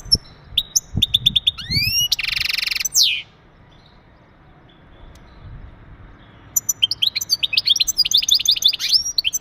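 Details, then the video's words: Breeding-readiness song from a male European goldfinch, aimed at stimulating the female: quick upswept twittering notes, a coarse buzzy burst, a falling sweep, silence, then a long run of lively tinkling twitters. "بتبتات ونداءات التزاوج عند ذكر الحسون فعالة في تجهيز أنثى الحسون"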